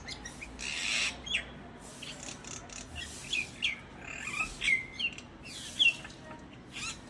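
Common Myna giving a jumble of harsh, chattering notes mixed with short whistles, uneven bursts over several seconds with a faint outdoor hiss behind.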